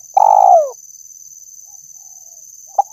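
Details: Spotted dove coo used to lure birds: a single drawn-out purring note that slides downward, followed by one brief soft note, with a constant high-pitched electronic tone behind.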